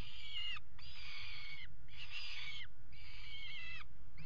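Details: Peregrine falcons pairing on a nest ledge, water tower in Axel, Netherlands, 5 February 2018, nest camera: three strained, nasal wails of under a second each, slightly falling at the end, against low rumbling noise.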